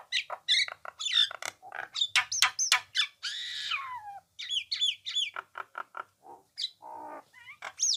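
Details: Nias hill myna singing energetically: a dense jumble of sharp whistles, clicks and squawks, with a long rasping note that slides downward midway, then more looping whistles and short chattering notes.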